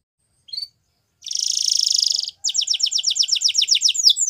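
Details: Belgian canary: a short chip, a dense buzzy trill lasting about a second, then a quick run of repeated downslurred whistled notes, high and bright.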